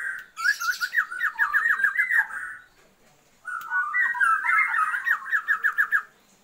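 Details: Female Oriental magpie-robin calling a male to raise his breeding drive, two bursts of rapid chattering slurred whistles, each about two to three seconds, separated by a brief pause.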